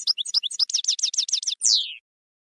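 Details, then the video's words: Goldfinch campero song from a 2020/2021 CD: alternating chirps speed into a fast, rolling series of rich, buzzy notes, ending in a long, drawn-out descending wheeze. "NUEVO CD JILGUERO CAMPERO 2020/2021"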